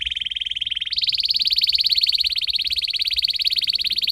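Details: Canary training song for tutoring canaries: fast, bright rolling trills shifting after a second to a higher, rapid buzzy rattle that runs on steadily, with a faint low background hum.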